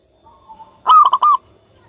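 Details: Local zebra dove in strong singing form, used as therapy to restart doves that have stopped singing. A faint soft note comes first, then a loud staccato coo of three or four quick rolled pulses.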